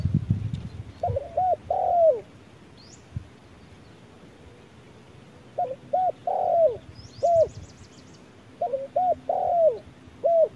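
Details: Spotted dove decoy and wild dove at midday: three groups of hollow coos, each a couple of short notes and a longer falling one, separated by pauses, with a brief high trill from another bird.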